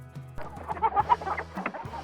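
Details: Hen cackling and clucking: a run of short, clipped clucks rising into a few louder cackled notes, with a faint musical backing.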